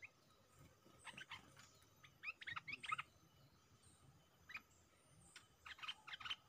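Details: Caged stripe-throated bulbul used as a decoy against fierce captured wild birds: faint, scattered bright chirps and short warbled notes over a steady hiss, quiet stretches between bursts.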